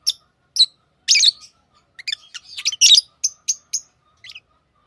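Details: Pet lovebirds chirping with harsh buzzy calls mixed with faint twittering, building to a dense burst, then three evenly spaced sharp chirps and a soft closing note.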